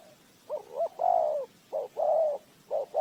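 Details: Lure spotted dove for bird trapping calls loudly and close, with rhythmic hollow coos in short and long syllables, each phrase a brief note followed by a fuller sustained coo, repeated in quick succession over quiet background.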